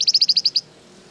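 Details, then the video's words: Flamboyan bird in full voice, used as a lure to make other birds reply: a quick, evenly spaced series of seven loud, high, slurred chirps lasting about half a second. "Suara pancingan burung Flamboyan gacor terbaik , pasti nyaut"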